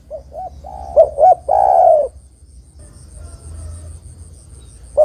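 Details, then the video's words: Spotted dove song meant to lure wild doves and make rivals reply: quick short coos, then a long sustained coo, a quiet pause with soft hum, and a single fresh coo starting at the end. "Suara Burung Terkukur Gacor Paling Top Untuk Pancingan & Pikat Dijamin Lawan Nyaut"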